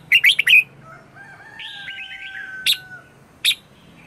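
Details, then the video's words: Morning song of a red-whiskered bulbul, played to lure wild birds: a fast cluster of loud chirps, followed by softer warbling from other birds and two more isolated sharp notes. "Luyện chào mào hót sáng - CHÉ GỌI BỔI CĂNG ĐÉT"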